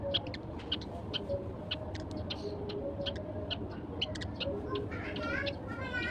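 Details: Only a few sparrows feeding at sunrise give short, sharp, high chirps in scattered bursts, some quick doubled notes, over a steady low hum and faint tonal background sounds.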